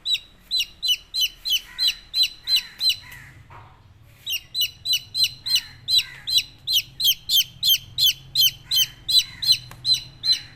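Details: Chicks giving continuous shrill, down-slurred peeps in a rapid regular rhythm, briefly pausing once, then resuming with many repeated calls over a faint low background hum.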